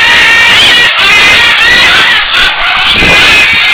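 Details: Captive Great green macaws, raised at a project in San Jose, Costa Rica for release into the wild, on the ground on 31 December 2010, give loud, harsh, raspy squawks that run almost without a break, with several brief pauses.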